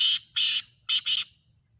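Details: Black francolin (kala teetar) calling, kept for chakri calling tournaments; four harsh, loud bursts in two pairs, each about a quarter second, spread broadly across high pitches, with short silent gaps between.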